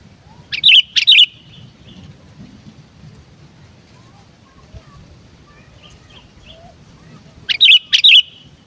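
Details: Kept sooty-headed bulbul (kutilang) in lively 'gacor' song, used to lure wild bulbuls: two loud bursts of sharp, bright chirps, one early and one near the end, with a faint low hum and quiet between them.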